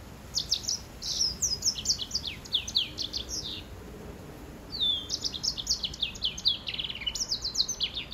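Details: Hybrid finch mule from crosses of greensinger (yellow-fronted canary), white-rumped seedeater and grey singing finch, singing bright high twittering phrases of quick descending notes in two long bursts separated by a short pause, over faint steady background hiss.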